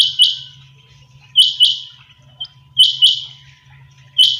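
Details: Sharp paired high notes from kept quail in the early morning, repeating about every 1.4 seconds, with a constant low hum underneath.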